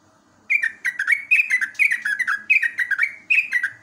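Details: Yellow-vented bulbul (trucukan) in a morning live recording of a ropelan-style song meant for training caged birds; a quick series of bubbly, slurred notes that drop from high to lower pitch, repeated about three times a second.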